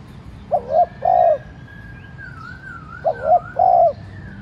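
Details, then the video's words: Decoy spotted dove cooing to make other doves call: two phrases of short paired coos then a long coo, with a thin whistled bird note drifting behind. "cu gáy mồi cây thúc nhẹ kích cu bổi dễ gáy. tiếng cu đất gáy thúc"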